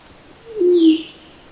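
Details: A White-throated Quail-Dove, a ground-dwelling dove of higher-elevation montane forest, gives a single low, hollow coo that slides gently downward over about half a second, against a quiet background.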